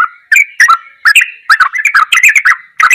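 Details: Short burst of ropelan goklikan song from a yellow-vented bulbul, tumbling liquid whistles that crowd together in the middle, then stop before one final phrase.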